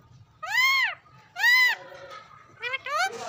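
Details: Pet parrot, described as whistling and speaking, voicing two long arched harmonic calls about a second apart, followed by a short broken burst of rougher, rising notes; faint low hum behind.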